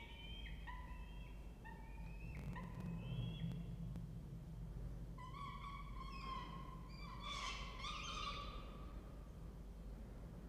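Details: Peregrine falcon family at a nest box in a water tower at Charles Sturt University, Orange, New South Wales, Australia, with two nestlings, 2 November 2024, 08:07; harmonic, slightly rising wailing notes in uneven series, growing louder later, over a steady low hum.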